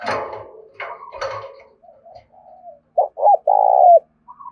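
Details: Tame decoy spotted dove in the Đồng Nai countryside giving its loud urging coo, used to lure wild doves; soft scattered notes first, then two short low hoots and one long, rich, slightly falling coo.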